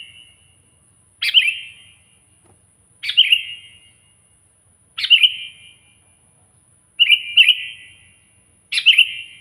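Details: Loud, vocal sooty-headed bulbul calling a rival, used as a training recording and as a lure for wild bulbuls. Five short, bright, bubbly bursts with trailing tails, roughly every two seconds, over a quiet background with a faint steady high hiss.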